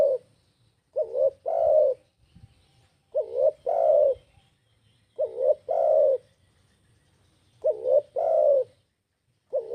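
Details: Spotted dove lure call for attracting other birds. Low cooing phrases, each a short wavering rising note followed by a longer sustained coo, repeated about every two and a half seconds, four phrases in all.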